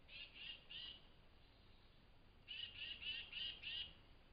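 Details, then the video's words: Tufted titmouse calling excitedly at dawn at a forest flying squirrel feeding station, giving harsh, buzzy notes: a burst of three, a pause, then a run of five, about three per second, over faint background hiss. "Tufted Titmouse Call"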